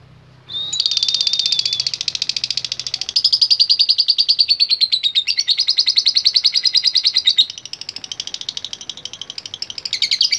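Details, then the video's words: After a short quiet start, a lovebird responds to a lure recording with a long, dense run of high, rapid 'ngetik' ticks, briefly breaking and resuming twice, fading lower near the end before picking up again. "Sekali Pancing Pasti Love Bird Nyaut Dan Bunyi | Love Bird Ngetik Dan Latah"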